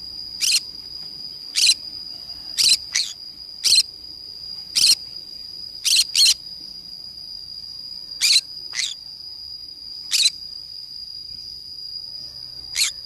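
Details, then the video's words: Green-cheeked conure parrot playing by itself in the forest, giving a string of about a dozen brief raspy screeches at irregular intervals, with a constant high-pitched buzzing tone running underneath. "green cheek conure parrot sounds"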